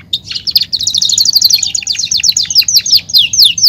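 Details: Belgian canary pouring out a rapid, steady trill of high sharp notes, about four per second and faster, sustained almost without break.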